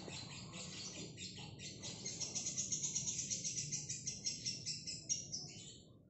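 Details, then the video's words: Single female fighter lovebird in long ngekek: high scratchy chatter that builds into strong rhythmic pulses, about three per second at peaks, fading at the end, over a low hum. "Lovebird Singel fighter ngekek panjang"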